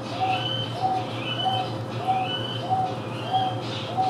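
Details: Wonga pigeon in a Houston Zoo exhibit shared with Taveta weavers, calling with regularly spaced, clear coo notes, roughly one every 0.6 seconds, overlaid by thin, high weaver whistles and a steady background hum.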